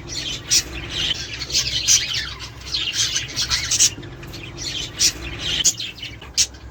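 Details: Budgerigar chatter intended to encourage mating and breeding; busy grating warble with scattered loud clicks and high squeaks, fairly even in volume, a soft hum below.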